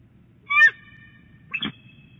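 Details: Female bald eagle at her nest at Big Bear Lake on 11 January 2018, calling early while rolling eggs: two loud, clear, harmonic chirping notes about a second apart, the first longer and stronger, over a low background hum.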